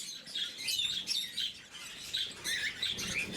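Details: Lovebirds in the blue mutation, at morning feeding, give quick shrill chirps about three per second, uneven in spacing, overlapping into a squeaky chatter.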